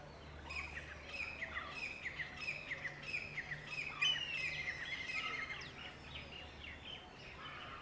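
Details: A pair of Wire-tailed Swallows on a swimming pool ladder in a Delhi garden, about to sally out after insects over the pool. Rapid, dense twittering of short high chirps runs throughout over a steady low hum.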